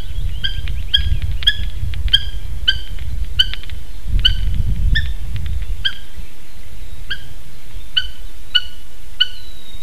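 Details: Eurasian hobby (Falco subbuteo), one of two adults visiting a nest in Slītere National Park, Latvia, at 9:06 am on 3 June 2021, giving a steady series of sharp, ringing kew notes, about two per second, over a low wind rumble.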